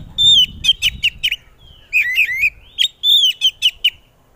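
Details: Oriental magpie-robin singing loudly to draw answers from other magpie-robins: clear ringing whistles dropping in pitch, quick repeated sharp chips, and a twisting warbled phrase, almost free of background noise.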